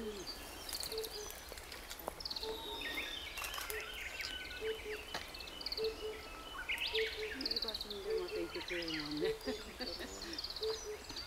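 An Oriental Cuckoo repeats low, hollow 'po-po' notes about once a second, while a Lesser Cuckoo's sharp, quick whistled phrases and other birds sing over it.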